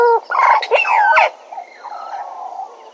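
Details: Bennett's woodpecker recorded at Djuma: a loud, rapid chatter of nasal, harmonic notes runs for just over a second. Fainter, drawn-out notes trail off afterwards.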